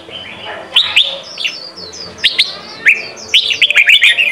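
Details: Sông Kon style song of a Red-whiskered bulbul, used for voice training of young birds: quick rising whistles and liquid chirps, loud clusters near 0.8, 2.3, 2.9 and 3.4 seconds, then a rapid run of notes to the end.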